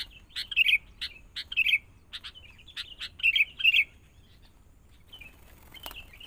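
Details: Sooty-headed bulbul, a young forest-caught bird being trained with a lure bird. Short, clear, warbled phrases come in quick pairs with sharp chips between them, then fade to soft faint notes.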